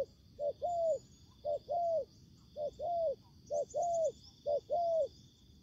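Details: A spotted dove used as a ground decoy during bird trapping, facing wild birds in Vietnam, coos in a low, soft phrase about five times. Each phrase is a short note followed by a longer hollow coo, over a steady insect hum.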